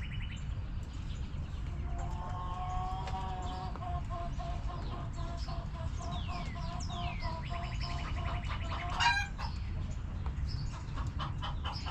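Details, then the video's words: Backyard chickens settling in their coop, a long low drawn-out hen call with scattered clucks, plus descending whistles and a quick trill from other birds and a sharp click, over constant low hum. "Rooster Crowing! Hens Clucking!"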